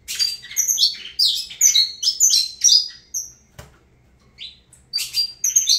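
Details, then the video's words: Saffron finch singing an Avalanche-style song of rapid chirped and whistled phrases, a brief click, a pause, then more twittering. "Canto do Canário da Terra Avalanche"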